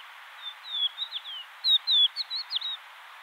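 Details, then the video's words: Crested lark singing a string of clear whistled notes, many sliding down, some rising then falling, delivered in loose groups over about three seconds with constant background hiss. "Crested lark | Galerida cristata"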